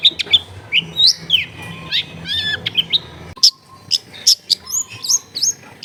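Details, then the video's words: Long-tailed shrike tutor song to make a stuck bird sing quickly, recorded at home in a noisy neighbourhood: a varied medley of rising whistles, hooked squeaks and short buzzy notes, becoming sharper and cleaner in the second half. "MASTERAN ANTI GAGAL SUARA JERNIH CENDET MACET BIAR CEPAT BUNYI"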